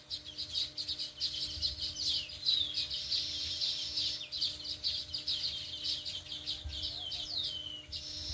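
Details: Sparrows chirping busily in a dense, continuous chorus of high, short, sharp chirps and twittering notes, many overlapping calls at a rapid pace, with a faint low steady hum beneath.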